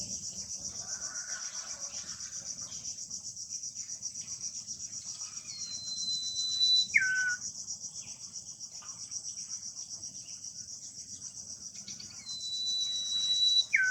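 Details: Wild common iora calling near its nest. Two phrases about six seconds apart, each a drawn-out level high whistle ending in a brief falling lower note. A constant loud cricket-like insect chorus fills the background.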